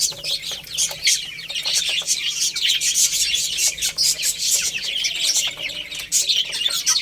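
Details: Baby chicks eating rice, a dense, continuous chorus of high, thin chirps and peeps, with many birds calling over one another and soft pecking clicks throughout.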